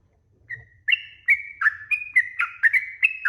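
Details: Sooty-headed bulbul giving a chattering lure song to get other birds to reply: a soft opening whistle, then quick ringing two-tone notes about three each second over a faint low hum.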